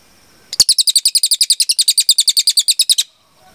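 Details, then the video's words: Cililin singing a long 'tembakan' burst: a rapid, even train of about twenty-two sharp doubled high chirps, delivered in roughly two and a half seconds, then stopping abruptly in a quiet background. "MASTERAN CILILIN GACOR JERNIH TEMBAKAN PANJANG"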